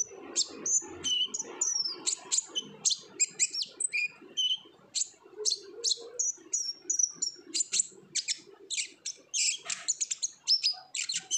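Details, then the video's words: Olive-backed sunbird giving lively 'ngobra' song as a lure to make untrained sunbirds sing; rapid series of high, sharp chips, whistled slurs and short trills, many notes repeated several times in quick rhythm. "PANCINGAN KONIN GACOR NGOBRA , KONIN BAHAN PASTI AKAN RAJIN BUNYI"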